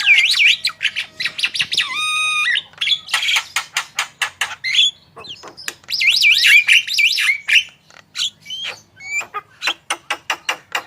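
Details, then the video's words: Javan myna singing vigorously, a recording for prompting other birds to sing: wavy rising-falling whistles, a ladder-like stacked phrase, then rapid runs of sharp clicking notes and more wavering whistles. "Jalak kebo gacor full masteran//cocok untuk pancingan burung anda !!"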